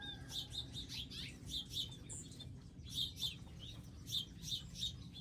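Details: Birds at a garden feeding station with seeds and water; rapid bright chirping in bursts of two or three notes, close and lively, nearly continuous throughout.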